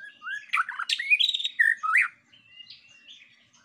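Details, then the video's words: White-rumped shama song used to provoke other birds: a varied burst of whistles, chatters and swoops, trailing off into soft high whistled notes. "Pancingan bunyi Murai batu!!"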